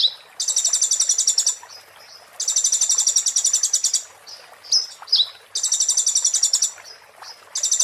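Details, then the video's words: Oriental white-eye giving 'muntah beling' song, used as tutor material for magpie-robins and shamas: three long, rapid, high-pitched rattling trills, with short squeaks and slurred notes in the gaps. "master konin muntah beling"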